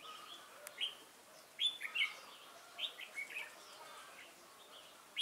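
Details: Red-whiskered bulbul, a newly caught wild bird, competing in song on 22 October 2018: clipped whistled notes and short warbles in small clusters, moderately loud, with a tap near the start.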